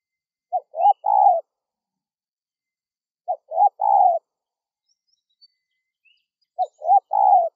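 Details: Wild-dove lure call of a spotted dove: three phrases roughly three seconds apart, each of three soft cooing notes ending in a longer one. A few faint chirps in the background.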